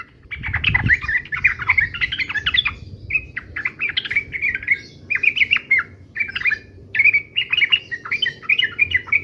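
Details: Yellow-vented bulbul singing its fighting song, a nearly unbroken string of short, rich, gurgling phrases repeated every second or so, with a low thud near the start.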